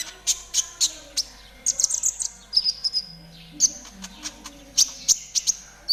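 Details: Konin trotol tutor song meant to get caged birds singing fast: repeated sharp high chirps in groups, a drawn-out downslurred whistle midway, then more staccato chirping bursts; a soft low hum sits below throughout.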